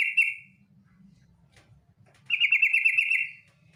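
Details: Female yellow-vented bulbul giving ngetir calls to draw the male. A brief buzzy rattle is followed after a pause by a longer, rapidly pulsed trill of about a second, with soft low rumble between.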